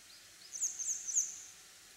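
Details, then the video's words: One grey wagtail, of a territorial pair on a roof in Katsurazaka, Kyoto, now alone, gives a call between single contact notes and song: three sharp, very high, thin notes after a fainter high twitter. "キセキレイ 微妙な囀り"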